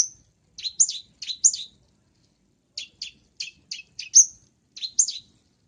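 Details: Long-tailed shrike, lively and full of fill-in song, on a tutor recording for cage birds; quick high, varied chirps and twitters in short clusters, with one bright rising whistle near the end, clean background.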